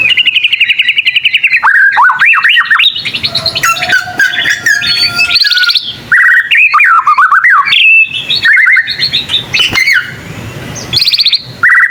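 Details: Young white-rumped shama, a captive songbird, learning its song, which sets other shamas answering; a loud, varied run of whistled notes, slurred rising and falling phrases and rapid trills mixed with harsh chatter, with overlapping calls from more than one bird.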